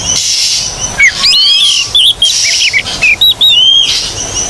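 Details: Oriental magpie-robin (kacer) singing lively in a tutor recording meant to get silent magpie-robins singing: clear whistled notes, some rising and some sliding down, set against a steady hiss of high buzzing noise.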